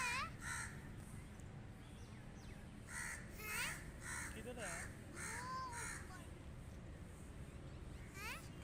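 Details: Crow giving loud, harsh, broadband caws in irregular bursts, several in quick succession, with people talking over a constant low background rumble.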